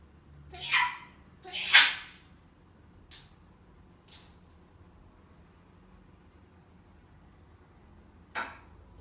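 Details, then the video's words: African grey parrot laughing and sneezing indoors: two loud, sharp, hissy bursts close together near the start, a few faint clicks in between, then another short explosive burst near the end, with quiet room hum behind. "African grey parrot laughing and sneezing"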